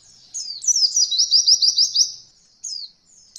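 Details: White-eye song used as a training recording for beginner birds learning the roll style: a high, rapid trill of sharp, downslurred notes lasting about a second and a half, then a brief thin whistle after a pause.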